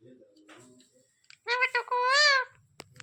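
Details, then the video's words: Pet parrot in India, said to have slept in a blanket, talking: after faint low murmurs, one loud voiced word-like phrase of about a second wavers in pitch, then a sharp click and soft room noise. "Best talking parrot in india मिठू कम्बल में सोया था बोल रहा है ये मिठू कू कू"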